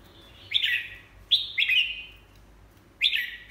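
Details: Red-whiskered bulbul, a show-quality bird with moulting legs, sings short bright phrases: three descending slurred whistles, each dropping from high to lower pitch, separated by brief pauses.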